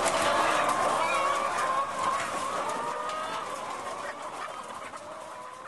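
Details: Laying hens kept in cages on French farms, filmed in February 2012: many hens cluck and give wavering, drawn-out squawks together, the chorus loud at first then gradually fading, with constant background machinery noise.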